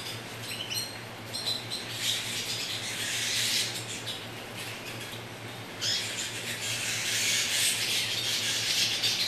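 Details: Canary singing: fast trills and rapid repeated chirps, about four notes a second, with bright high notes and a brief pause midway before the rapid trilling resumes, over steady background hiss and a low hum.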